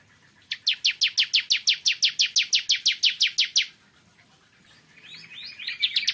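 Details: Bar-winged prinia, or ciblek kristal, singing in the morning: a steady series of about sixteen sharp, high chirps over three seconds, then quieter, more varied twittering starts up.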